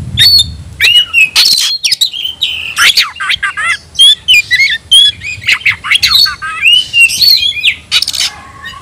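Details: Kacer, the white-rumped shama, a cage bird calling out a rival to fight, gives a dense stream of sharp whistles, squawky bursts and quick downslurred notes in short runs.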